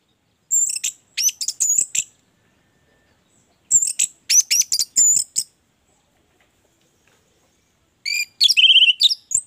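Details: Orange-headed thrush singing, kept as a lure for captive birds: bursts of very high, thin chattering and whistled notes in three separated phrases with silent pauses between.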